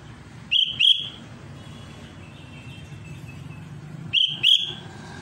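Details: Two pairs of sharp whistled notes from a Sooty-headed bulbul calling a rival, the pairs about three and a half seconds apart, with faint hum between.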